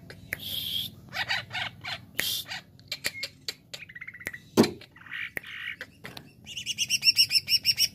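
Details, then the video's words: Greater green leafbird singing in a varied burst: buzzy trills, short whistled notes, a harsh sweep, then a fast run of repeated high chirps to close. "CUCAK IJO JAMTROK WIK WIK"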